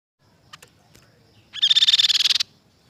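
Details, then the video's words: Crescent-chested babbler singing: a few faint ticking notes, then a loud rapid buzzy rattle of about fourteen harsh pulses lasting almost a second. "suara burung Tepus pipi perak gacor"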